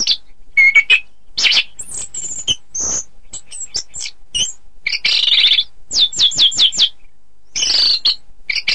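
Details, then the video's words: Orange-headed thrush song used for contest training: loud, varied phrases mixing high thin whistles, short buzzy bursts and a quick run of five descending notes, with brief pauses between phrases. "Suara Kicau Burung Anis Kembang"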